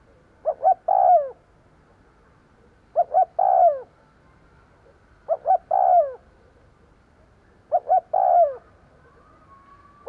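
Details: A decoy spotted dove used to attract wild birds repeats its coo four times, roughly every two and a half seconds: two clipped hoots and then a longer descending croon each time.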